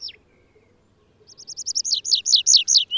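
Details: Atlantic canary, a wild finch of the Canary Islands, Azores and Madeira, sings a building trill: repeated high sweeping notes grow steadily louder and broader over about two seconds after one opening downslur.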